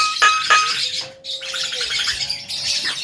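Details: Tame Javan myna, described as able to speak, gives clear whistled notes, a long steady whistle, and dense harsh chattering bursts.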